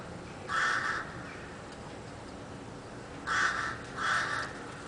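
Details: Bird giving harsh, hoarse caws: one near the start, then two more in quick succession about three seconds later, over a constant broadband hiss.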